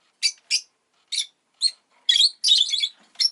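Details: Pet rosy-faced lovebird, its egg just laid, calls with short scratchy chirps that build into a longer churring, buzzy run, then two final clipped notes.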